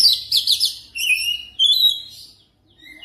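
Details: Brief oriental magpie-robin lure song for training a bird to sing quickly and without pause: quick chattering trill notes followed by two long, smooth, clear whistles, then a short silence.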